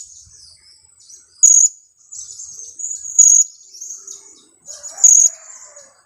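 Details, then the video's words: Two-week-old blue-crowned hanging parrot used as a lure: three buzzy, high-pitched 'kiak' calls spaced under two seconds apart, between them a thin high chatter, with a faint lower warble near the end. "junior KIAK²...usia 2 minggu"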